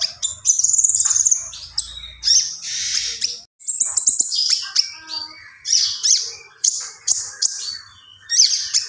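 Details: Common iora in gacor song, lively and nonstop, delivering bursts of high, rough, buzzy phrases and thin whistles, each burst about half a second long with short gaps between them.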